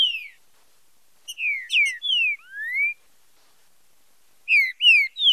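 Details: Green-winged saltator singing a 'fibra com marcheado' song of loud, clear whistled phrases of slurred notes, some falling and one rising, in two bursts separated by short pauses.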